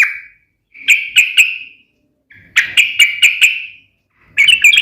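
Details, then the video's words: Sooty-headed bulbul in a sharp fighting song aimed at provoking rival bulbuls to respond: short clusters of three to five ringing high notes, each followed by a clear pause. "trucukan gacor SUARA TAJAM TARUNG ROPEL"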